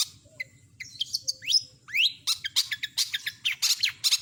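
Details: Cendet, the long-tailed shrike, delivering a varied imitative song: scattered chips, then rising whistled slurs, then a fast run of dense scratchy notes, clear against a soft low hum.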